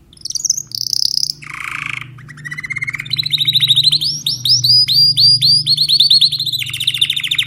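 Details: Timbrado canary song of varied phrases: a brief high note, a harsh buzzy burst, then rapid repeated rising syllables forming long rolling tours, ending in a fast trill over a faint low hum.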